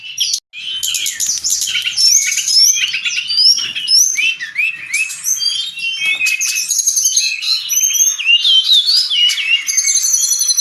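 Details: Brown-chested jungle flycatcher singing vigorously, recorded for training caged birds: a continuous stream of high rising slurs, short whistles and fast chattering notes, with quick varied phrases and no pauses.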